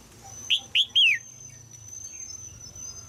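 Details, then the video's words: In Thailand, a caged female red-whiskered bulbul gives a quick run of three sharp, downward-slurred chirps to encourage a young male to sing, followed by quiet with a thin steady high tone and low rumble. "นกตัวเมียร้องเจี๊ยก ๆ ในกรงเพื่อกระตุ้นให้นกหนุ่มร้องดีมาก"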